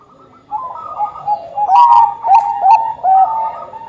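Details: Energetic Bangkok zebra dove song: layered soft coos building into loud rapid staccato notes with dips and rises, several sharp clicks between; used as a lure to make other Bangkok zebra doves sing sooner.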